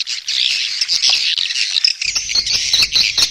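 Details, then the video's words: Mating twitter of swiftlets, a thick stream of harsh, buzzy high chirps that turns more broken and clicky halfway, with a low rumble joining in the second half. "SUARA WALET BirahiBeranak | the sound of swallow lust"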